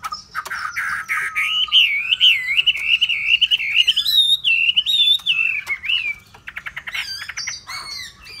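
A loud hwamei song: a long, rich, warbling phrase with sliding whistles, then a burst of rapid repeated notes and more varied whistled phrases.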